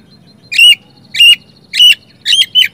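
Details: Oriental magpie-robin song used as a lure to prompt silent, reluctant magpie-robins to sing. Four short harsh, buzzy notes with a bright squeaky core, spaced about every 0.6 seconds, the last split into a quick double note. The background is quiet.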